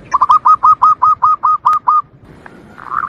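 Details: Natural local zebra dove, a recording meant for luring wild doves and tutoring: about eleven quick staccato coos in two seconds, the notes slightly rising then steady, followed by a softer warbling sound.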